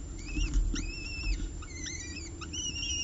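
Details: Peregrine falcons at a ledge: male Xavier brings prey and female Diamond feeds two eyases, 30 September 2018. Thin, high squealing notes, slurred up and down and repeated in quick succession, over a steady low background rumble.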